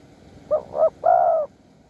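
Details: At a decoy-luring spot in Bang Bai Mai, Surat Thani, Thailand, a wild spotted dove calls: two quick, hollow, low coos followed by one longer, smooth, slightly falling coo. The background is quiet.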